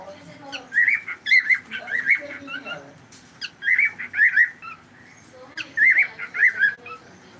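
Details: Pet cockatiel on a live stream giving three bursts of warbling, whistled chirps, each a tight cluster of wavering notes, separated by quiet pauses of about two seconds.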